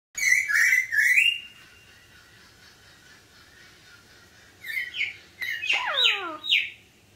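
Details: An Eleonora cockatoo (Cacatua galerita eleonora) greets after its cage door is opened: a burst of harsh, rising squawks, a quiet spell, then several screechy, descending squawks over a faint hum.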